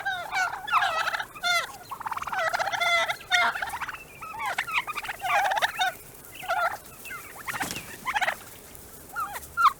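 A turkey gobbles in rapid, bubbling bursts, several loud rattling runs of warbling notes with brief pauses between them.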